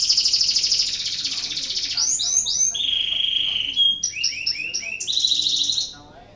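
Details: Canary in breeding condition, a song meant to stimulate other canaries: a high buzzy trill, then swooping whistles, a steady level whistled note, and bouncing downward slurs before fading out.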